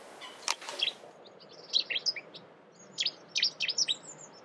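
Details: Cetti's warbler, UK: sharp, loud high notes in short clustered bursts, abrupt and emphatic, with a brief rustle near the start and a gentle hiss of background noise.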